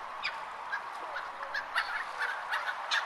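A flock of gulls gives a steady stream of short, harsh, overlapping squawks at a fast, uneven pace, over a constant background hiss.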